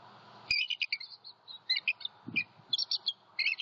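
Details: A bald eagle pair vocalizes at night in Southwest Florida on 13 January 2021. The male is back guarding his territory after an owl attack, and the female sits on eggs. Continuous high, piping chatter comes in quick staccato runs.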